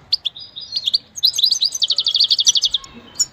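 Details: Goldfinch song played for training: a burst of bright twittering notes, then a long fast run of clipped, evenly repeated high chirps, ending with a brief squeaky note.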